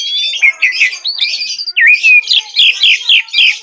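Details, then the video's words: Jalak suren (Asian pied starling) singing gacor: a scratchy warbled opening and a twisting whistle, followed by a rhythmic run of rough chirps repeated about four times a second. "jalak suren gacor"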